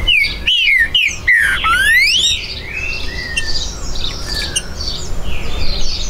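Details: Green-winged saltator recorded at a breeder's premises on 19 September 2020, singing territorially: several slurred whistles ending in a long rising note, then quieter twittering of other birds.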